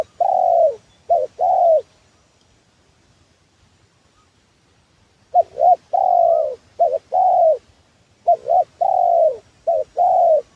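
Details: Spotted dove lure call for trapping: a few doubled coos and long coos, then about three seconds of near silence, followed by a lively run of paired short and long coos.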